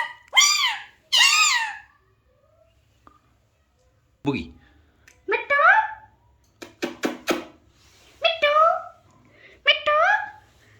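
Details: An Alexandrine parakeet talks in short, harmonic, voice-like bursts, mimicking words such as "hello" and a cat-like "meow", with pauses between phrases.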